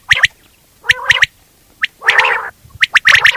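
Quail giving short, sharp notes in clusters of two or three, with a rougher, gurgling burst between them.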